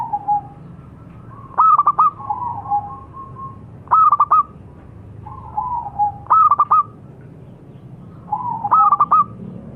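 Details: Local zebra dove (perkutut) singing steadily: a soft introductory coo leads into a crisp burst of four rapid ringing notes, the phrase repeating about every two and a half seconds against quiet low background noise.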